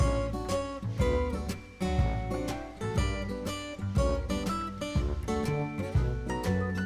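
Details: Strummed acoustic guitar music with a steady beat and layered chords, no animal voices audible.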